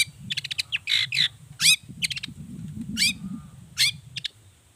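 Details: Long-tailed shrike (cendet) in lively 'toet toet' varied song used as a lure to prompt other shrikes to sing; bursts of buzzy notes, sharp rising whistles and rattling trills, with a low rumbling hum underneath.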